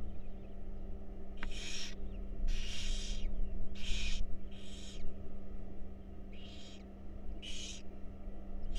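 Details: Wild barn owl owlets in a monitored nest box being fed, giving harsh hissing screeches, broad noisy bursts about half a second long, repeated irregularly with a steady low hum beneath.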